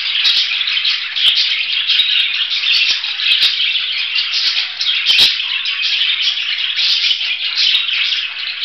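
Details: Continuous scratchy budgerigar warbling, rapid chirps blending together, broken by clicking sounds and a sharp knock near the fifth second.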